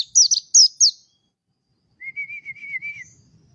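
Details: Song of a mountain white-eye: four sharp, high chirps in quick succession, silence, then a lower, rapidly warbling series of linked notes lasting about a second.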